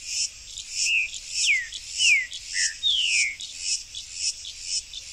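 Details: Buff-throated saltator in a backyard with fruit trees giving a short run of clear whistled notes, each slurring downward, over a steady high insect buzz.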